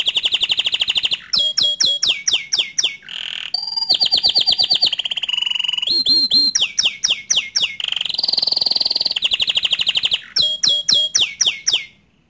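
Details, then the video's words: Bottle-green canary's long tutor song for young and untrained birds. Repeated sharp descending chips alternate with rolling trills and sustained whistles, in varied phrases of tightly spaced notes. "Kicau Kenari Hijau Botol Untuk Masteran kenari Paud & Bahan"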